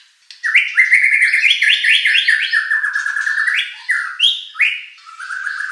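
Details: White-rumped shama song used as a lure to provoke a competition bird into singing back: rich, loud whistled phrases of rapid repeated notes that slide up and down, then shorter separate whistles with brief pauses.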